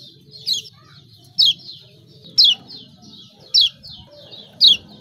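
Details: Lemon-bellied white-eye, Lombok, giving 'ciak ciak' calls meant to prompt silent birds to sing: sharp, high, downward-slurred notes repeated about once a second, each followed by a softer trailing chirp.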